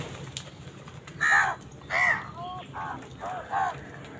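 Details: Crows cawing while fighting wild birds for food: a series of harsh, nasal caws in uneven bursts, about five calls over four seconds, some shorter and higher, with a faint background hiss.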